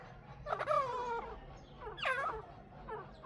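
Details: A pair of chukar partridges calling. Soft, hoarse, slurred notes come in two separate groups about a second apart, then a faint third note, over a quiet background.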